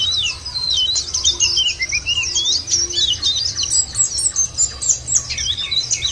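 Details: Lure for making white-eyes sing, with a steady, high, scratchy twittering song, interspersed with slurred lower notes and a few squeaky accents, over faint background hum.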